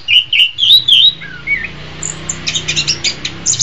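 Orange-headed Thrush song: loud, rich whistled phrases sliding up and down, then a run of quick, high, thin notes repeated several times a second.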